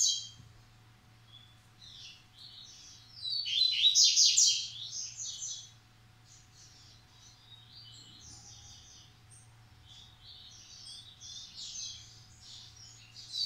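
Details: Captive-bred Double-collared Seedeaters (coleiro massai x coleiro baiano) from a breeder: quick, buzzy, high chirped phrases, rapidly repeated, with one louder burst, over a faint steady electrical hum.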